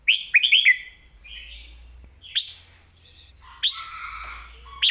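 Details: Caged red-whiskered bulbul singing a master-pattern song with clear phrasing: a quick burst of three or four bright whistled notes near the start, then softer warbled phrases and another loud whistled burst toward the end.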